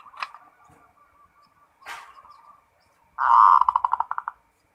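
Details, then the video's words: Local zebra dove singing in the full 'ngerot' style: faint soft murmurs, then a loud burst of rapid staccato cooing notes that stutter and fade out over about a second. "SUARA PERKUTUT FULL NGEROT"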